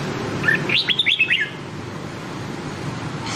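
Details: Nam Đông style song of a red-whiskered bulbul, played as a training voice for white-cheeked bulbuls: a single quick phrase of about six bright, slurred whistles rising and falling, followed by steady background hiss.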